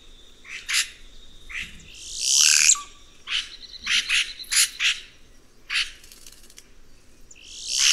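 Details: Red-rumped cacique (Cacicus haemorrhous) singing: a lively mix of sharp broadband clicks, short buzzy bursts and a thin steady whistle, with loud rasping swells at about 2.5 and 7.5 seconds and a faint insect hum beneath.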